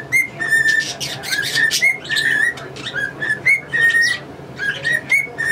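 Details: Male pet cockatiel whistling tunes, including his versions of "Yankee Doodle Dandy" and the "Mexican Hat Dance", in front of two English budgies. Clear whistled notes with bright overtones come in short phrases, with bursts of rough chatter in between.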